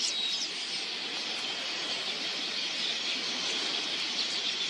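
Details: Migratory red-billed queleas massing at a watering hole in huge numbers; steady, dense high-pitched twittering blends into a seething hiss, a few sharper squeaks poking through.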